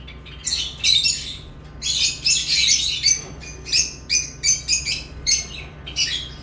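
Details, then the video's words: Lovebirds chirping: clusters of shrill, scratchy chirps, then a run of sharp separate notes about three per second, with a low hum behind. "Love birds chirping sounds"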